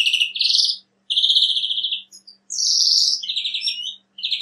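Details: Rattling trills from a European greenfinch singing in nature, several even trilled phrases at slightly different pitches separated by short pauses, over a faint low hum.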